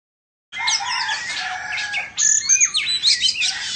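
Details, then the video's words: Oriental magpie-robin of the Indonesian type, singing while dancing and fanning its tail; after a brief silence, a dense, continuous run of mixed whistles and rasping notes gives way to sharp, rising and falling whistled phrases. "Choè Than Indo hót múa xoè"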